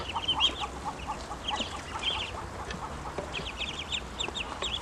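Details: Grown ducklings call out when hungry: dense runs of short, high, downslurred peeps in bursts of three to six, overlapping from several birds, over a low background hum.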